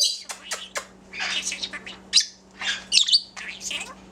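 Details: A talking pet male budgerigar, rescued from a parking lot, chatters in rapid, scratchy bursts of mimicked speech about his bird companions, with sharp high chirps mixed in.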